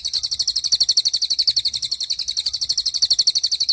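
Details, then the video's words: Cililin in tembakan mode, a very clear, sharp training recording for white-rumped shama and other songbirds: a dense, even rattle of high, metallic, shrill notes repeated quickly throughout, with no background sounds. "MASTERAN TEMBAKAN CILILIN GACOR DOR,SUPER JERNIH & TAJAM"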